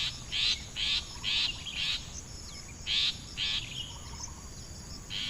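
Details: Hungry coucal chick, still begging after plenty of food, giving harsh hissing bursts repeated roughly twice a second, with a faint steady insect hum behind.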